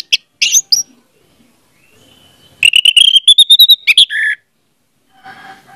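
Orange-headed thrush song: sharp high chirps, then a quick run of about ten bright whistled notes rising in pitch, ending in a harsher buzzy phrase.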